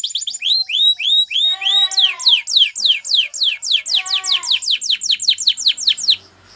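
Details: Spanish Timbrado canary song for training canaries to sing: rising whistled notes repeated, then a long run of fast descending sweeping notes about two per second-fraction, with low bubbling undertones, ending abruptly.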